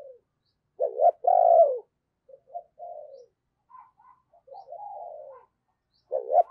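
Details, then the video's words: Spotted dove kept as a decoy calling in wild doves with 'thúc' and 'gáy' cooing: a sharp double note then a strong sustained coo, followed by softer low coos and a fresh phrase starting at the end. "Chim Cu Mồi Thúc Và Gáy Gọi Bổi"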